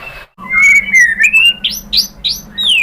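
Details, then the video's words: White-rumped shama song used to provoke other shamas to sing: a long clear whistled note gliding upward, followed by quick rising and falling whistled phrases. "memancing EMOSI MURAI BATU biar ikut GACOR BONGKAR MATERI ISIAN ¦ PANCINGAN MURAI ¦ SHAMA BIRD"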